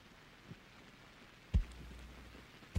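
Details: A red-phase male Ruffed Grouse drumming on a mossy log in the boreal forest of northern Alberta in spring to proclaim territory: a few deep, muffled thumps about a second apart, the last two loudest, over faint hiss.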